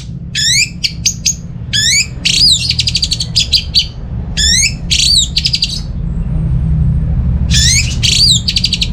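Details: Orange-headed thrush song from Singaraja, North Bali: repeated phrases that open with a sweeping descending whistle and run into fast stuttering notes, separated by brief silences, over low background hum.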